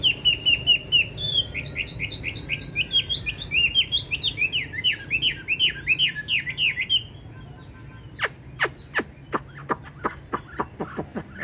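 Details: Loud-voiced caged Chinese hwamei, tame, with yellow legs and bill: seven seconds of varied whistled song, repeated downslurred notes then rising and falling phrases, giving way to sharp, widely spaced clicking calls.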